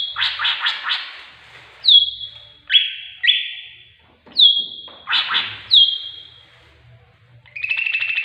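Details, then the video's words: Greater green leafbird singing with imitated tengkek buto phrases, meant as training audio to coax birds into song: loud whistled notes sliding down, each trailing into a harsh rasping buzz, repeated several times with short pauses. "Master Cucak Ijo || isian burung tengkek buto."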